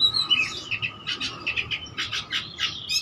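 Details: Oriental magpie-robin singing vigorously to provoke rivals into song, showing a full repertoire: quick bursts of harsh buzzy notes alternating with short whistles in a choppy rhythm, with a faint constant hum behind.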